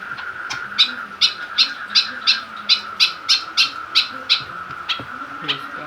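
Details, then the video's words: A caged white-breasted woodswallow, agitated by a plastic bottle placed near it, calls in a rapid chain of rough, scratchy notes about three per second, over a continuous thin hum. "burung kekep babi semakin ganas dan gacor"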